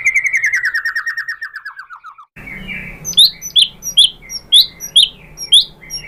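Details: White-rumped shama singing to provoke answering shamas: a long descending trill of quick whistled notes, a short break, then high rising-falling whistles repeated about once a second.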